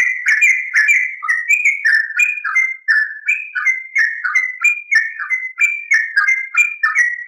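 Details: Yellow-vented bulbul song used as a lure and master to make other bulbuls sing: continuous rich, liquid, bubbling warbled notes in rapid rolling phrases, steady and unbroken throughout.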